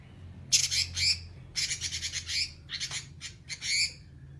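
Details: Long rasping 'nyerecet' chatter from an actively singing oriental magpie-robin: grating broadband bursts in uneven groups, with a constant low droning hum behind.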